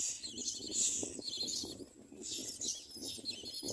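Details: Nestling common mynas call in an almost unbroken stream of raspy, high hissing chatter with one short lull in the middle. Soft scratching and shuffling sound underneath.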